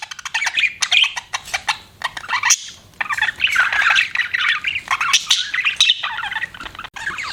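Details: Pet budgies squawk and chirp in rapid bursts, sharp clicks interleaved with raspy, wavering warbles and a few rising whistles.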